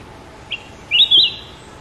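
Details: Short song of a sooty-headed bulbul, one faint chirp leading into a bright, rolling two-part whistled phrase, with little else audible.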